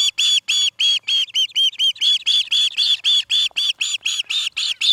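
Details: Nest-cam recording from Charlo, Montana, 17 August 2018, evening: an osprey calls loudly and without pause, a rapid, regular series of ringing whistled chirps, some slightly slurred, roughly four a second.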